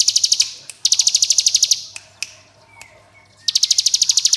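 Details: Hill prinia singing long ngebren bursts: three machine-gun volleys of sharp, high, evenly repeated pulses separated by brief pauses with scattered clicks and a faint descending whistle.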